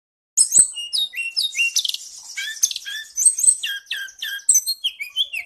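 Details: Lure song for training caged songbirds such as kacer, cendet, murai and tledekan: a dense, rapid run of high chirps, slurred whistles and buzzy trills, constantly varied, with a few sharp clicks and no other sounds.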